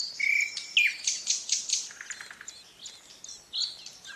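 Ouzel nestlings beg with thin, high, squeaky chirps in quick overlapping bursts, about two a second, with a sharper whistled note near the start.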